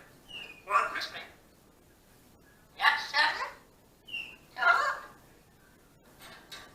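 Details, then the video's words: A two-year-old female pet African grey parrot, which often chats and burps to herself in the family home, talks in three speech-like mumbled phrases, each preceded by a short clear whistle. "African Grey Parrot talking and burping"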